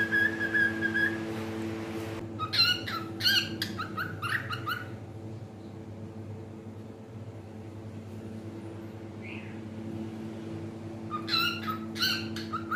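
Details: Pet cockatiel singing indoors: two bursts of bright, rapid whistled notes separated by a long quiet stretch, over a steady low household hum.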